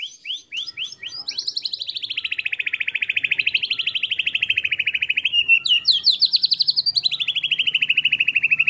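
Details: Competition song of a white-rumped shama, packed with mimicked fill-ins prized by judges: a few quick chips open into a long, nearly continuous rattling trill of rapid notes that slowly sag and rise in pitch.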